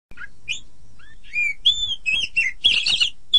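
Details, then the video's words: Oriental magpie-robin song used as a training recording for songbirds, best played in the morning or evening: varied clear whistles, rising and falling slurs and short buzzy chirps, growing louder toward the end, with a faint low hum beneath. "Masteran Terbaik Kacer"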